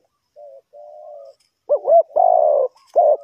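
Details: Spotted dove calling in a bird-trapping setting in Ninh Thuận, Vietnam: two soft, flat coos, then louder wavering looped notes and a long, rough, steady coo.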